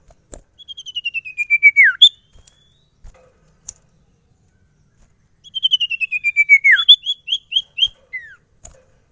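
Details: Captive sirtu singing freely (gacor): two bouts of rapid, evenly spaced whistled notes stepping gradually downward, each ending in a sharp falling sweep followed by a brief higher note. Quiet surroundings.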